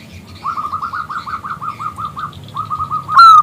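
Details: Local zebra dove, loud and clear-voiced, calling a male to sing. A fast, even string of about fifteen rolling coos pauses briefly, restarts, and ends in one loud, high, drawn-out note.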